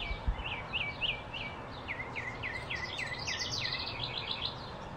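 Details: Blue-throated flycatcher from Arizona, recorded in the field: a few rising-falling whistles lead into a fast run of short, down-slurred notes, with a low rumble of environmental noise underneath.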